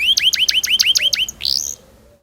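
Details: Tutor song of a canary for teaching young canaries: a quick row of short upward-curving whistled notes with high accents, ending in a brief buzzy rattle before fading out.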